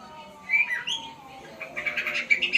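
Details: White-rumped shama learning sounds: a short burst of high chirps and a clear whistle near the start, then a run of bright, rapid notes in the second half, with a faint steady hum underneath.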